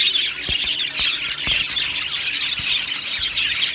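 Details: Budgerigars in an aviary colony, recorded 1 July 2025, giving dense, continuous high chirping and squeaky chatter from many birds at once, with a few sharp clicks cutting through the steady flock noise.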